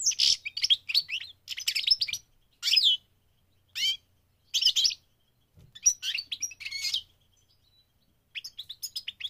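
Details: A migrating goldfinch sings in quick bursts of bright, liquid twitters and tinkling trills, broken by brief pauses; nothing else is heard.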